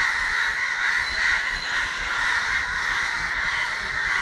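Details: Crows in Kerala on December 9, 2012, giving harsh, grating caws that overlap into a dense, unbroken racket from many birds at once, with no clear gaps between calls.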